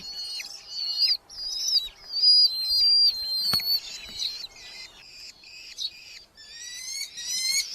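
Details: Nestling Red-footed falcons in a nest box within a large colony in Hungary, July 2025, give rapid, wavering, shrill calls in pulsing series, plus a sharp click midway and thinner rising whistles toward the end.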